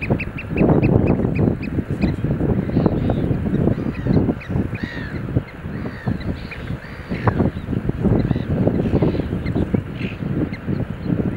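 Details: Eurasian oystercatchers in a display dance, a fast run of sharp piping notes at the start, then scattered shrill, slurred calls, over heavy low rumbling wind noise.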